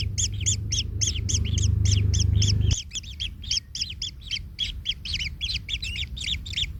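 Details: Nest-bound kingfisher chick, trampled by a parent and in pain, squealing in quick harsh double notes without pause; a loud low hum drops away partway through.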